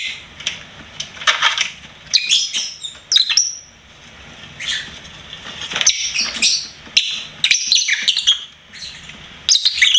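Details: Pet lovebird chattering with shrill, rasping chirps and squeaky whistles in irregular bursts, a brief quiet gap midway, then denser scratchy twittering.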